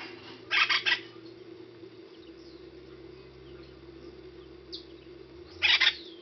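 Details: Harsh, scratchy triple-note calls of an acorn woodpecker, one burst near the start and another about five seconds later, with a faint short note between and a constant low droning hum underneath.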